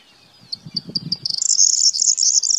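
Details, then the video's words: Corn bunting song: a few spaced, sharp ticking notes speed up into a bright, high, jangling trill lasting about a second, with faint low rumbles underneath at the start. "Corn Bunting Call, Grauammer gesang, Bruant proyer chant, Kornsparv läte"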